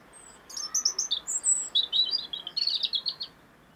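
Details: European robin song from 2016: a fast, tumbling phrase of high whistled notes and tinkling trills, pitch jumping from very high to lower warbles, lasting about three seconds.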